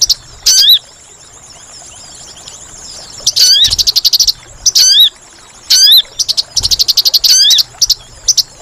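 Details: Sunbird (sogon) call used as a lure for trapping: very high, rapid dry chirp bursts alternating with loud hooked sweeping whistles, in clusters separated by short pauses, over faint steady background hiss.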